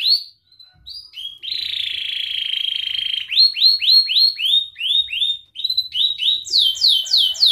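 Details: Young canaries learn from this training song: a whistled tone, a long steady buzzy note, then evenly spaced upsweeping chirps repeated about three per second, ending in higher-pitched swept notes.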